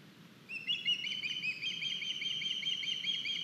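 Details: Osprey at an Estonian nest on 9 August, as a youngster arrives with a large fish: sudden start of high, piping whistles in a quick, steady series continuing for about three seconds over light background noise.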